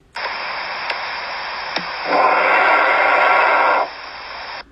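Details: Steady radio static and hiss with a few sharp clicks, louder for about two seconds in the middle before dropping back and cutting off.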